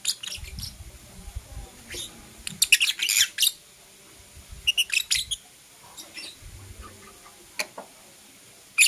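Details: Morning lovebirds, blue opaline and parblue euwing opaline, chattering in clusters of shrill, high-pitched chirps, with a dense burst near the middle and isolated sharp notes toward the end, low rumbling noise beneath.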